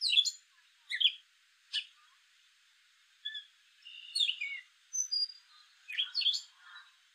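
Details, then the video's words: Male gray catbird giving a jumbled series of squeaky, scratchy chirps and short whistles, varied phrases about every second, against a quiet background. "Gray catbird call"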